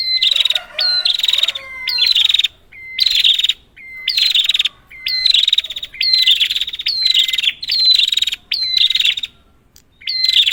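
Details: Prinia calling in a lure recording meant to rouse a silent prinia: rapid buzzy, pulsing bursts repeated roughly every second, each opening with an upward flick and joined by a lower flat whistle.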